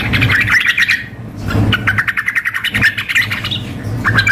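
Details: Sooty-headed bulbul call mix for contest simulation, female calling male alongside an excited male: quick bubbly chirps in dense clusters, a short lull, then renewed chattering, all over a low droning rumble.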